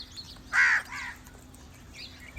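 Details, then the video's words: A crow's call for attracting crows: one loud, grating caw, followed by a softer trailing note and faint chirps from other birds in the distance. "Crow call to attract crows"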